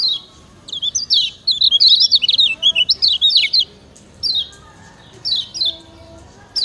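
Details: Lombok kecial kuning, Lemon-bellied white-eye, giving a training master song: a lively run of high, rapid chirps and twitters, then a few separate short descending phrases.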